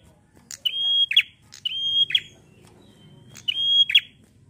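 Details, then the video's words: Rapid bar-winged prinia song in the lively 'gacor ngalun' style: three bright sustained whistles, each closing with a sharp clicking flourish and preceded by a short high tick, over a soft background murmur. "Suara prenjak Gacor ngalun fighter mantul!"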